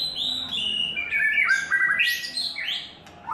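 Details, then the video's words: White-rumped shama in its third molt singing loud, varied whistled phrases: sliding notes, quick rising sweeps and short trills, delivered in a fast, continuous flow with a brief drop in volume near the end. "White Rumped Shama – “Imagine by Falcon”"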